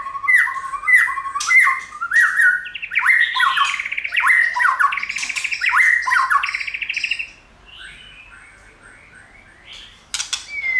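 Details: White-rumped shama repeating a short phrase of falling slurred whistles about every half second for several seconds. The bird is used to stir shamas into singing and tail flicking. After a quiet gap, a final high whistle.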